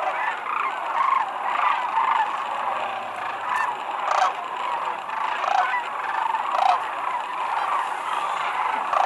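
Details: Thousands of wild sandhill cranes descending to land at Whitewater Draw Wildlife Area near McNeal, Arizona, February 5, 2018: a dense, unbroken chorus of rolling, trumpeting rattles overlapping continuously, swelling and fading in waves.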